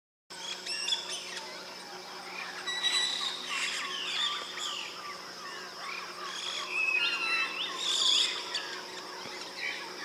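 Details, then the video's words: Several white-bellied parrots (white-bellied caique, Pionites leucogaster) chatter continuously with harsh, shrill squawks and sharp high whistles, calling over one another, over a low steady hum. "White Bellied Parrots"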